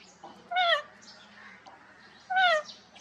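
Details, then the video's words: Parrot giving two clear whistled calls, each sliding downward with rich harmonics, about two seconds apart, with quiet background between them. "Parrot natural sounds & whistling voice || Parrot calls ki awaz"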